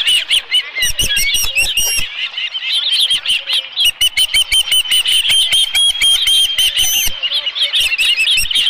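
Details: Osprey at its nest at Dunrovin Ranch on 11 July 2018, with a live fish. Rapid, high whistled chirps run almost without pause, with sharp scraping and rustling clicks throughout and a brief quieter gap near the middle.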